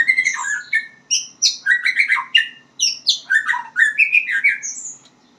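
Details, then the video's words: White-rumped shama learning to sing: a varied run of loud whistled and slurred phrases jumping between low and high notes, each burst about half a second, delivered almost without pause. "murai batu belajar bunyi"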